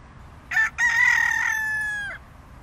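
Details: Red junglefowl (Gallus gallus) rooster crowing: a short harsh opening note, a brief pause, then one long sustained harmonic note held for about a second and a half, ending abruptly with a slight downward slur; quiet background.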